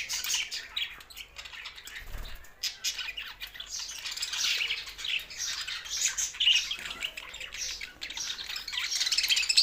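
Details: Group of budgerigars from Sindh singing happily: nonstop high scratchy warbling and chirping that grows louder toward the end, a soft low bump around two seconds.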